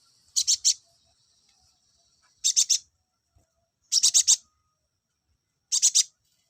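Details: Olive-backed sunbird song meant to bring males into breeding condition, given as short bursts of three or four very high, sharp notes, repeated roughly every one and a half seconds with silence between.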